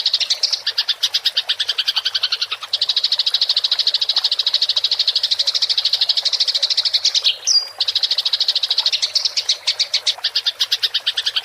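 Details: Rolling fighting chatter of a house sparrow (gereja tarung ngerol), recorded clear as a training track for songbirds: dense, fast pulsed chirping runs almost without pause, broken by one short whistled note near the end.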